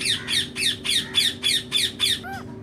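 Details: Pet rose-ringed parakeet indoors in a small room, giving a rapid series of about eight harsh, broadband squawks, about four a second, ending with a softer bending whistled note; a low hum runs underneath.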